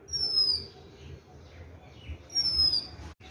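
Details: Oriental magpie-robin singing two high, clean downslurred whistles about two seconds apart, each roughly half a second long, with a soft lower falling tone and low background hum.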